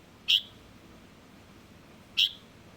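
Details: Young Light-vented bulbul: two brief, piercing high notes nearly two seconds apart, each abrupt and clipped, against faint background hiss.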